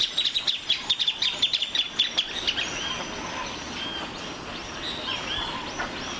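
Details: Plain thornbird song: a rapid chattering series of high chips for about two seconds, then scattered whistled calls from other birds.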